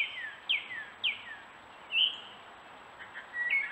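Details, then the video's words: A Gray Catbird on a stone wall in woods in Strafford County, New Hampshire, caught on trail camera, gives a quick run of high, downslurred mewing notes about every half second, then varied squeaky phrases over a faint outdoor hiss. "Gray Catbirds doing their Courtship Display, Posturing, Meow Call, Singing, Mimicking and more..."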